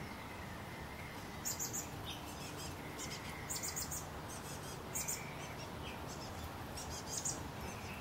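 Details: At least two chestnut-backed chickadee nestlings, almost ready to fledge, inside a birdhouse in Pleasant Hill, California, on April 28, 2013: thin, very high squeaky chirps in short clusters every one and a half to two seconds over steady background hiss.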